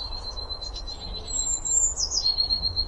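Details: A single short phrase from a Eurasian blue tit: a high, thin note sliding down into a lower trill, over a steady hum and rustling background noise.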